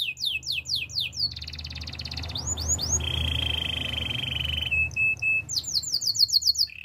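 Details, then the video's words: Spanish Timbrado canary song for training, mixing bursts of rapid sweeping whistles with a pulsed roll, a long steady metallic trill, short clipped notes and a final quick run of descending sweeps. "Canary singing for training - Spanish timbrado song"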